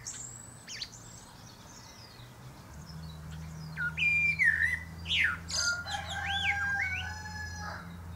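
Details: Common blackbird (Turdus merula) singing from the top of a pear tree, giving rich fluty whistled phrases with high chattering ends, overlapped by a long drawn-out harmonic call from another animal and a steady low hum.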